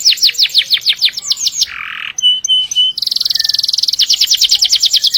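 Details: Canary in long rolling song, used to train canaries and other birds: fast series of falling whistled notes, a brief harsh buzzy burst, thin sustained whistles, then an extended rapid trill of repeated notes.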